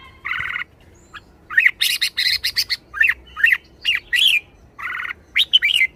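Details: Red-whiskered bulbul in a cage showing liveliness: busy sequence of harsh buzzy notes mixed with bright rising-falling warbles and squawky chirps, nearly continuous over six seconds.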